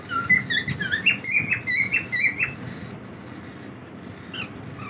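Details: Pet cockatiels in their daily routine, a burst of quick chirped and whistled notes for about three seconds, then near quiet with one or two late chirps, light rustling behind.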